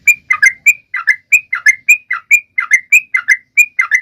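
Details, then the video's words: Sooty-headed bulbul in lively song to spur other birds to sing: clipped, sharp chirps in quick pairs and singles, evenly spaced through the run, with no other noise. "Trucuan gacor!!mancing burung lain ikut bunyi"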